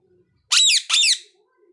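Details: Parrot giving two loud, harsh squawks in quick succession, each a rapid, raspy downward sweep, separated by a short gap, in an otherwise quiet indoor setting.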